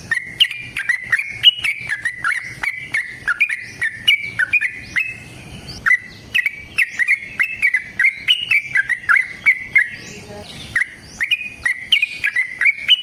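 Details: Yellow-vented bulbul in 'tarung ropel panjang' style, a long fighting-type trill used to provoke caged birds: thirteen seconds of nearly continuous quick, bubbly, jerky notes with brief gaps, overlaid by repeated sharp clicks.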